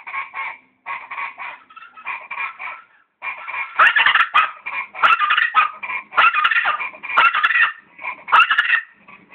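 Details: Guacharacas calling in a loud raucous chorus, harsh rhythmic bursts repeated in fast overlapping series, several birds answering one another, with a short pause before the chorus builds again louder.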